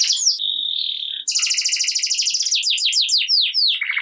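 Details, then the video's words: Energetic caged canary song meant to coax quiet canaries into singing: a brief whistle, a steady held tone, then a dense rapid trill breaking into repeated downward-sweeping notes and a final lower trill. "Kenari Gacor Ngerek Cocok Buat Kenari Yang Malas Bunyi Jadi Ikut Bunyi Seketika || Voice of Canary"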